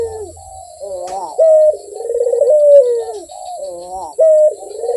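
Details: Mellow Barbary dove coos, a rolling purr sliding down in pitch and broken by a steady held tone, repeated twice in a few seconds with no other sounds.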